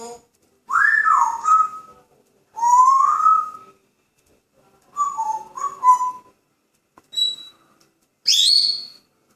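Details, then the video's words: Grey parrot kept as a pet and in a cheerful mood whistles a series of five tonal phrases, several rising then levelling, one wavering double note, ending on a brief higher, thinner whistle; small quiet room. "Graupapagei "Paco" pfeift, macht Geräusche und sagt "Hallo""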